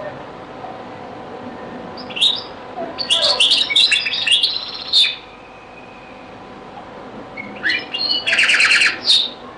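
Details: Beni Messous 'les avocats' (zaboka) style song of a European goldfinch, old recording: a high note, then a dense two-second burst of twittering, a quiet stretch, then a tight repeated trill.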